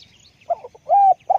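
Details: Spotted dove giving a few soft stuttered notes, then a smooth arched coo, and a pulsed coo beginning just as the sound ends, over a low steady hum.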